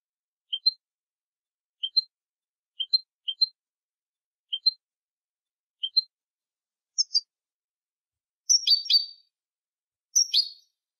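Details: European goldfinch song for tutoring young goldfinches: paired high tinkling chirps repeated about every second, then a fuller burst of dense liquid twittering near the end; no other sounds.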